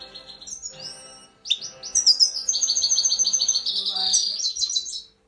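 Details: Grey-crowned goldfinch uttering a quick, high-pitched twittering series of rapid tinkling notes, several per second, preceded by a few thin chirps and ending abruptly.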